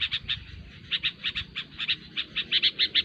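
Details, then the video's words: Sooty-headed bulbul, used as lure recording for trapping bulbuls; rapid bright chirpy notes in quick doubled and tripled bursts, about three per second, with a low rumbling background. "SUARA BURUNG KUTILANG RIBUT SANGAT COCOK UNTUK MASTERAN MIKAT BURUNG KUTILANG"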